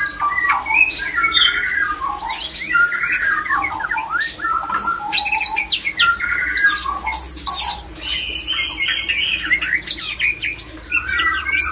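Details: Mating-call lure of the murai batu, or white-rumped shama, to trigger breeding condition in other shamas: continuous loud medley of fluty whistles, descending slurs and crackling high chips, with repeated steady mid-pitched whistled tones throughout.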